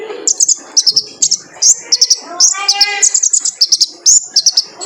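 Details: Male kolibri ninja sunbird as cage-bird training lure: bright, high chirp clusters repeated rhythmically, with a brief lower harmonic warble mid-sequence.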